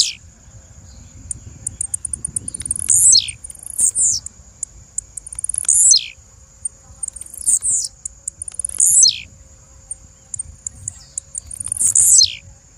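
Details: Female blue-black grassquit calling five times, roughly every two to three seconds. Each call is a burst of rapid high ticks ending in a hoarse, steeply falling buzz, with a steady high-pitched whine underneath.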